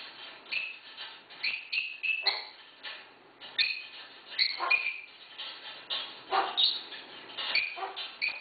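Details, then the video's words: Captive female African grey parrot living with six dogs, barking in imitation of them: a busy run of short, dog-like yaps and barks mixed with squeaky whistled notes, in a noisy indoor room. "African Grey Parrot) Barking"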